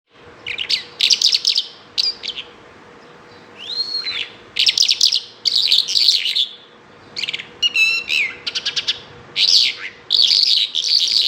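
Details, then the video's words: Bimaculated lark singing a lively, varied song of dense chirps and rapid trills in bursts, broken by a rising-then-falling whistled slur near the middle; a steady low hum runs underneath. "bimaculatedlark singing"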